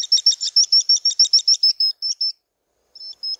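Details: Swallow-winged puffbird, known in Brazil as urubuzinho: a fast series of high, sharp chirped notes, about a dozen in quick succession, then a few slower, purer whistles after a short pause.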